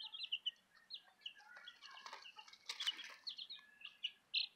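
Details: Young chickens, Southern Rambler chicks with a Golden Comet chick, giving rapid high cheeps throughout, mixed with soft scuffling and wing-flutter noises in the middle.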